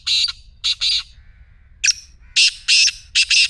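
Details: Black francolin call, played to get a silent partridge calling: loud, harsh, grating notes in a rhythmic series, two short bursts followed by a louder run of doubled rasping phrases, with no other clear sounds.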